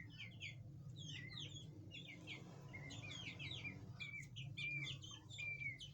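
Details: Chukar partridges together with their chicks: a busy stream of short, high chirps and down-slurred peeping notes, overlapping and repeated rapidly throughout, over a low steady hum.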